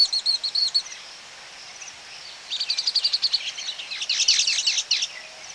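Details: Several Baya weavers calling close up at their nesting colony: a brief burst of quick, high twittering, a quiet gap, then a long rising spell of rapid, wheezy, overlapping chatter.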